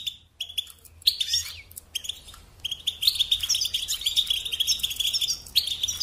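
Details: European goldfinch song used as a lesson for young birds; a few scattered chirps open into a lively, continuous bubbling twitter of high trills and buzzy notes.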